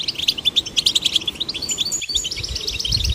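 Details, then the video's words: Stimulated to sing, male and female goldfinch chicks produce a lively high twitter of clipped chips and trilled phrases; a faint low knock sounds at the two-second point. "Stimulating male and female goldfinch chicks to sing birds chirping"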